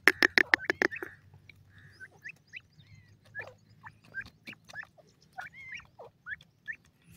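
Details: Grey francolin male and female together: a rapid burst of loud harsh notes opening, then scattered rising squeaky calls and shorter chirps at an uneven pace, with a low hum behind.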